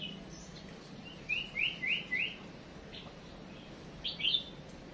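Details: Female songbird decoy calling to make males sing: a quick run of four bright, rising chirps in the middle, then a louder pair of high twittering notes near the end, over faint low hum.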